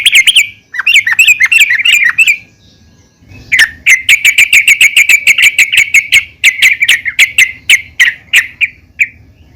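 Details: Yellow-vented bulbul female calling the male, used to make bulbuls sing: a short warbling chatter, a pause, then a long, quick train of bright, ringing notes that slowly spread out toward the end.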